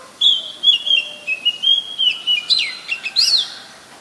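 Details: Oriental magpie-robin singing in Ubon Ratchathani, Thailand, on 7 January 2021: pure high whistled notes, held and gently stepping, broken by quick sharp chips and a steep falling slur, in a clean rapid phrase.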